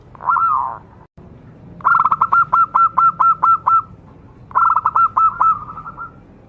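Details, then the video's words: Local zebra dove, kept as a lure to stir other zebra doves into singing, gives a long slurred coo, then a quick run of about nine clipped, even cooing notes, then a further rolling burst. "PERKUTUT LOKAL GACOR SUARA AMPUH UNTUK PANCINGAN BURUNG PERKUTUT AGAR CEPAT BUNYI"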